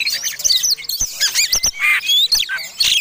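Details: An Oriental magpie-robin (kacer) in fighting song, described as ngotot and used as a provoking lure. The song is loud and dense, with scratchy twitters, bright upslurred whistles and a few sharp clicks.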